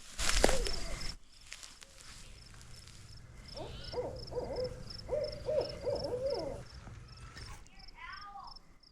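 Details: A wild Barred Owl in the forest around a family homestead starts hooting nearby, a run of wavering, slurred hoots with rising and falling inflections, over a low hum, faint insects and a few quiet words.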